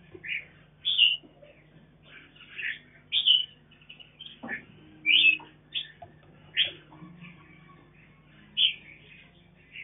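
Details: Captive red-whiskered bulbul, a mutant mountain form, raising its young on a farm: scattered short, bright chirps and whistled notes at irregular intervals, over a faint steady low hum.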